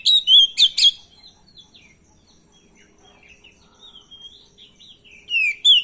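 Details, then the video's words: Oriental magpie-robin singing, used to draw a response from others: a loud burst of rich whistles and harsh notes, a quiet stretch of thin varied phrases, then strong whistles again. "suara pancingan burung Kacer bahan dan stres,pasti langsung nyaut"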